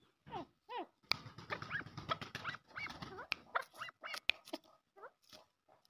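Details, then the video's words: Arabian partridge (maskati chakor) uttering rapid, chattering descending notes. The middle section is a dense burst over a low rumbling noise, then it thins to spaced single notes, with sharp clicks throughout. "pure maskati chakor | Arabian partridges"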